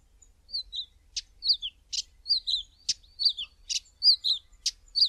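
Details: Karoo scrub robin male perched atop a bush at early morning, singing a lively series of high sweet slurred whistles interspersed with sharp scratchy rasping notes, roughly two elements each second, no other sounds.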